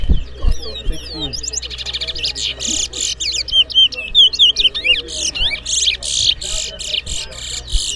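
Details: Towa towa bird whistling at a competition. Rapid, varied chirps and swooping whistled notes come in dense bursts, with some buzzy trills. Faint voices and low hum sit underneath.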